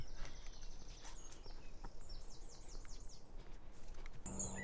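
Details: A distant Song Thrush sings from a perch on Staines Moor, England, on 13 May 2024: thin, high phrases, one note swept and repeated about five times in quick succession, under steady low wind rumble.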